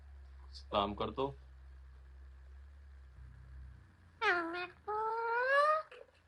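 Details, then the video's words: Pet parrot talking indoors: two short bursts of harsh, voice-like syllables, a pause with a low background hum, then longer nasal, speech-like phrases with gliding, rising tones. "bolne wala tota"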